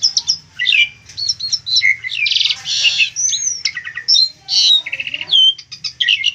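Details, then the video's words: Song of an Asian pied starling, offered as training material for other birds: harsh squawks, buzzy rattles and clear whistled slurs alternate rapidly in a loud, energetic, high-pitched medley. "Burung jalak suren cocok buat masteran"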